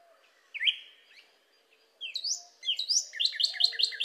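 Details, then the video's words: Cardinal giving slurred downward whistles, then a quicker series of short repeated notes near the end; the background is quiet. "أصوات كاردينال"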